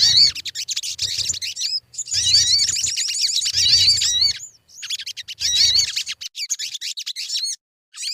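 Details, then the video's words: Sogon (crimson sunbird) song meant to coax birds into singing: long runs of high, rapid, squeaky twittering with wavering notes, separated by short breaks, with faint low thumps beneath. "Suara pancingan burung sogon_pasti cepat gacor"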